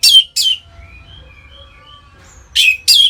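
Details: Orange-headed thrush in ngeplong song, used as a lure to stimulate captive birds: two loud, falling, rasping-bright notes, a quiet gap with faint thin whistles, then two more similar notes.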